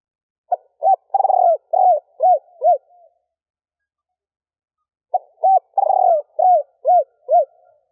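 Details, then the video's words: Two repeated phrases from a female spotted dove cooing to excite males: each a short note, a hoot, a long rolling burred coo and three quick arched hoots, the phrases about four and a half seconds apart. "Tiếng cu gáy mái gù gáy kích bổi nhanh gáy / Chim cu gáy mái 3 hậu gù cà lăm / cu mái kích bổi"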